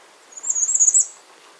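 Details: Bay-breasted warbler giving a single brief, very high, thin trilled phrase of rapid wavering notes lasting under a second, over quiet background.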